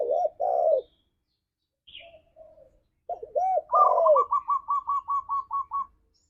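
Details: Lure recording of a spotted dove, played to make caged doves sing: arched coos, a soft muffled murmur, then a rich coo followed by a fast run of about ten short bright notes.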